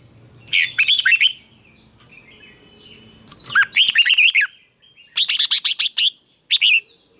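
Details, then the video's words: Decoy red-whiskered bulbul in contest singing, kept to train and provoke other birds: three bursts of fast clicking chips and looping warbled notes, separated by pauses of a second or more, with a constant thin high-pitched hum behind. "Chào mào mồi hót đấu quá tuyệt!!"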